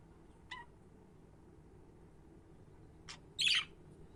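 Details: Budgie giving a soft short note, then a brief scratchy call and a loud rasping chirp close together near the end, over low steady background hum.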